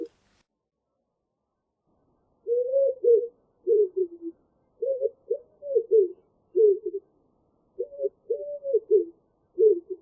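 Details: A common wood pigeon coos in low, husky, muffled phrases of several notes, repeated with short pauses against a quiet background, during the morning chorus in an open hornbeam forest.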